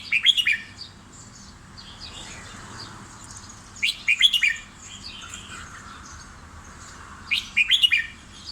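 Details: Caged red-whiskered bulbul on a new feed recipe; three loud bursts of quick liquid whistled notes, each under a second, spaced about three to four seconds apart, with a faint hum beneath.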